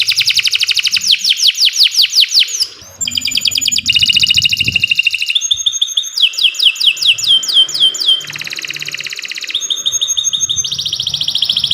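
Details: Canary singing a long, vigorous training song for tutoring other birds: rapid rolling trills alternate with series of fast downward-sweeping whistles and buzzy high rolls, with a faint low hum in the background.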